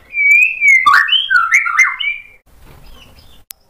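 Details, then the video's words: White-rumped shama in full voice, song laced with sharp imitations, played to lure other birds into answering: a clear drawn-out whistle, then a cluster of slurred rising and falling notes, ending in quiet background. "MURAI BATU GACOR bongkar isian tajam cocok untuk PANCINGAN biar ikut NYAUT BUNYI"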